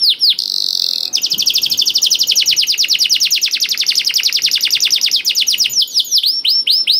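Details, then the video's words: Canary singing vigorously to draw reluctant canaries into song. A buzzy opening note is followed by a long, rapid trill of high repeated syllables that closes with a few looping down-slurred whistles. "KENARI GACOR DOR INI MEMANCING KENARI YANG SUSAH BUNYI JADI IKUT GACOR"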